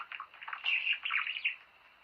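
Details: Budgerigar warbling, played to encourage breeding. The chirps and buzzy notes run together into a continuous fast chatter that swells in the middle, then fades into quiet.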